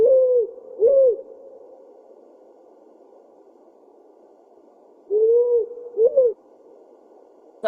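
Powerful Owl giving two deep double hoots, 'whoo-hoo', about five seconds apart, low and mellow over a quiet background hiss.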